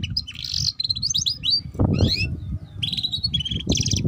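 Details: Young canary practising song with warbled whistles, buzzy notes and short trills, mixed with low rumbling background noise and a soft thump partway through.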